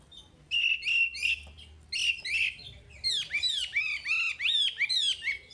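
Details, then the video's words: Chinese hwamei singing, a recording meant for training caged birds: clustered whistled notes, then a steady series of rising and falling slurred whistles repeated about twice a second. "Suara Wambi Gacor Untuk Pancingan Hwamei Bahan"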